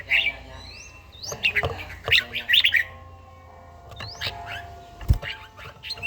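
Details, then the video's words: Morning song of a trained red-whiskered bulbul with a wild-style voice from Gia Lai: rising whistled slurs and rapid warbled clusters, with a sharp knock near the end and a faint steady background tone. "chàomào HÓT SÁNG, LUYỆN CHIM HÓT HẰNG NGÀY"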